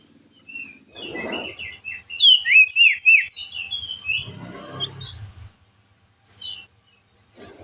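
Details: Crested jay shrike used as a lure sound: bright whistled notes sliding up and down in quick bursts, with rustling and handling noise in the background.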